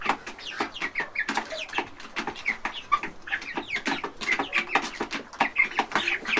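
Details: Inside a large farm chicken house, baby chickens eating from a trough keep up a steady stream of shrill, falling cheeps and clucks from many birds at once.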